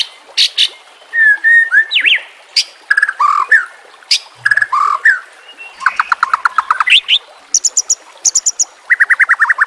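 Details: Caged-bird training recording of a white-rumped shama singing over trickling water and nature sounds: varied whistled phrases, low rich notes, then rapid trilled bursts and high repeated chips.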